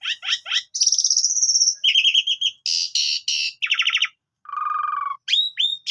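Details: Asian pied starling with a melodious 'gacor' chattering song: quick triple chirps, a long pulsing buzzy note, rasping harsh bursts, a low flat trill and sharp rising whistles at the close.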